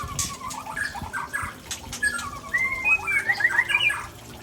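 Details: Aceh-type white-rumped shama from Tangse performing rare mimicked phrases, heard as soft wavering whistles that become a brighter run of rapid sliding notes near the end, partly masked by background noise.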